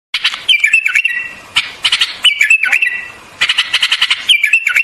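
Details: White-eared bulbul singing: short whistled phrases near the middle pitch that dip and rise, given three times, each preceded by bursts of sharp clicking ticks.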